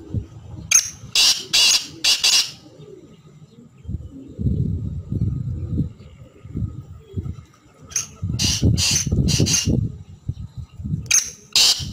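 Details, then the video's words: Black francolin calling twice, each a rapid burst of four scratchy, broadband notes about half a second apart, and a third phrase beginning at the end. Low murmuring cooing sounds fill the gaps. "kala teetar ki chhk and awaz"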